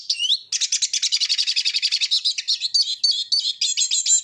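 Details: Eurasian siskin (Spinus spinus), song.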